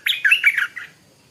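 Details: Stripe-throated bulbul, a small caged decoy bird, in the morning: one brief, loud, bubbling phrase of quick slurred notes that fades within a second.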